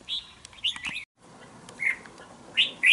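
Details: Young wild-caught red-whiskered bulbul, two months in a cage, gives short bright whistled phrases, rising and falling, in bursts spaced about half a second to a second apart, with a brief silent gap midway.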